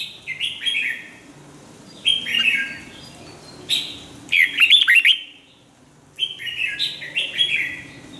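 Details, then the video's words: Red-whiskered bulbul singing during song training: a string of short whistled warbles, a lively burst of quick chirps near the middle, a pause, then more bright warbled phrases. "chào mào luyện giọng hót hay"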